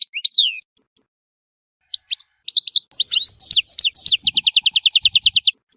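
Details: Tissemsilt goldfinch in Algeria singing high chirps and jumbled twitters that build into a rapid, even run of repeated notes near the end.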